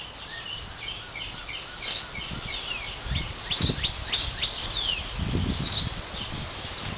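A female Northern Cardinal sings a loose run of sharp, high chirps and clear downslurred whistles, over low rumbling wind and thumps.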